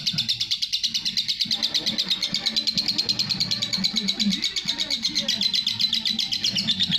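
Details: Lovebird giving long ngekek chatter: a dense, steady stream of sharp high chirps without pause, with soft low murmuring in the background.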